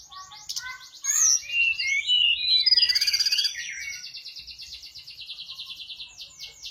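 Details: Lively Sunda robin song meant as a lure for other birds: high whistled notes rising into a dense twittering stretch with a fast trill, ending in a steady string of rapid buzzy notes.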